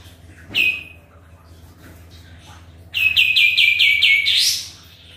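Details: Lively sooty-headed bulbul lure song: one sharp high note, a quiet gap, then a fast chattering run of about eight repeated notes ending in a steep upward sweep.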